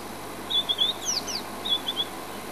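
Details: Wild White-browed Scrub-robin singing in the bush at Djuma, South Africa: short phrases of high, sweet whistled notes with quick sliding slurs, given in two bursts over steady low hum and hiss.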